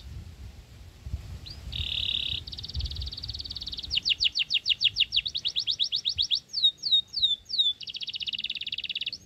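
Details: A growing Sooty-headed Bulbul chick fed crickets begs with high, buzzy hisses, then a fast run of rasping strokes and a few downslurred squeaks, ending in another long hiss.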